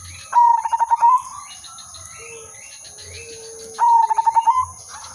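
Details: Zebra dove song used as a trapping lure, silver udanmas type: two rhythmic coo phrases about three seconds apart. Each has around eight rapid beats at an even pitch and ends in a slightly rising note, with soft background chirps between phrases.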